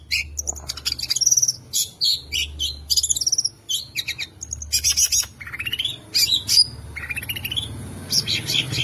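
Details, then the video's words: Contest-winning captive long-tailed shrike singing a full mimicry song with rapid 'tembakan' bursts, used to provoke silent shrikes into song: varied high chirps, buzzy rattles and short rising whistles in quick uneven phrases, with a faint low hum beneath. "Cendet Gacor Full Isian Variasi Suara Tembakan, Pancingan Burung Pentet Bahan Stres Macet Agar Bunyi"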